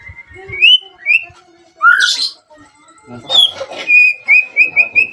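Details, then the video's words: White-rumped shama song played to provoke other shamas to answer and sing: clear whistled notes rising and sliding, a harsh burst mid-phrase, then a rapid string of short high whistles repeated near the end. "PANCINGAN AMPUH MURAI BATU AGAR CEPAT BUNYI - Sekali putar langsung nyaut dan respon"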